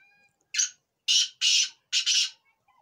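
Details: Black francolin (Kala Teetar) calling: four harsh, grating, buzzy notes, a short first note followed by three longer rasping bursts, the last two nearly run together, with quiet background between notes.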